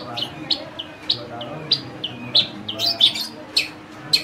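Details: Long-tailed shrike kept as a tame bird, singing mimicked phrases: separate sharp high chips and short buzzy notes spaced roughly every half second, with faint low background murmur.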